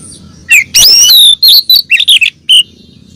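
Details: Calls of a female oriental magpie-robin summoning the male, played to stir a captive male; a scratchy burst, then a long rising whistle and several short warbled notes with a final clipped chip.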